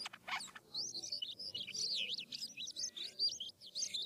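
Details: A Philippine Asian glossy starling delivers a rolling, varied lure song to draw replies from other starlings: a few sharp clicks, then a continuous run of high, rapidly swooping whistled notes.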